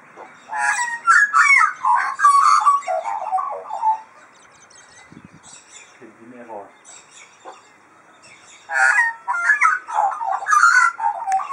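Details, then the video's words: Magpies squabbling over cheese, their calls likened to a modem: bursts of harsh, rasping chatter and scratchy warbled notes, a quieter stretch with faint clicks, then renewed loud chattering. "Modem-Vogel (Magpie)"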